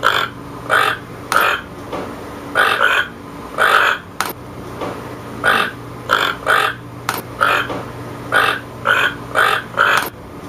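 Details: A toucan repeats rough, croaking notes in an irregular series of about twenty calls, often in close pairs, over a constant low hum with occasional clicks.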